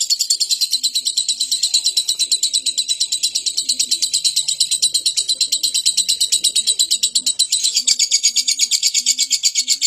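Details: Lovebird chattering song meant to stir other birds to sing: a continuous stream of rapid, harsh, rattling pulses, with faint low cooing notes repeating in the background.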